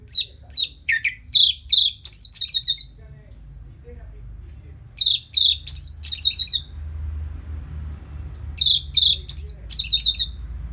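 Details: Post-moult Orange-headed thrush singing to make a bird more aggressive: three loud bursts of rapid, high, piercing notes, each a stuttered phrase of about two seconds, separated by quiet pauses with faint background hum.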